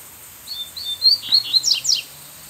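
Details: Wild female Double-collared Seedeater (Sporophila caerulescens) sings a more whistled song from a distance, perched high at the edge of a bamboo thicket in dense forest, responding to a male: a quick run of high whistled notes, then sharp descending slurred chirps.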